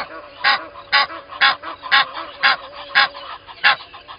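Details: Egyptian goose pair calling at Gowrie dam, Djuma Game Reserve, South Africa, at 05:32: a steady run of loud, hoarse honks about every half second, with faint whistling birds in the background.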